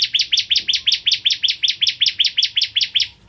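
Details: Bar-winged prinia, a caged tutor bird used for training songbirds, delivers a long, steady run of loud, sharp double-edged chirps, roughly five per second for over three seconds, without pause.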